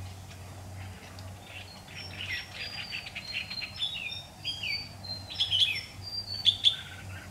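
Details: Red-whiskered bulbul lure bird in competitive song during trapping, 16 September 2019. Scattered whistled phrases and sharp chirps build to louder notes near the end, with faint clicks and a low hum behind.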